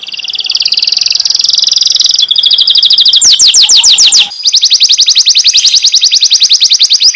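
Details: Master canary singing, described as calling friends and fighting: long high buzzy rolls held for seconds, shifting into a fast series of clipped downward-sweeping notes, then a steady rapid trill.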